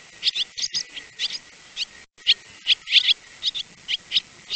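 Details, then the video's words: Swallows twitter in quick, high, scratchy chirps, several notes in loose bursts with a brief pause midway; no other sounds stand out. "swallow sounds /swallow birds sounds /swallow"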